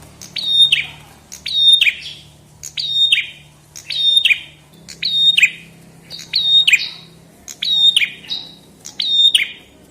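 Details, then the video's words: Chestnut-headed tesia singing steadily: eight sharp phrases, each a high attack, a level whistle and a falling flick, repeated roughly every 1.2 seconds over a quiet low background drone. "Kicau Burung prenjak kepala merah"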